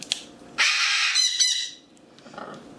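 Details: A female blue-and-gold macaw, a large talking pet parrot that had previously plucked her feathers, gives one loud, harsh, raspy squawk lasting about a second, then a shorter rough note; a person's voice is faint in the background.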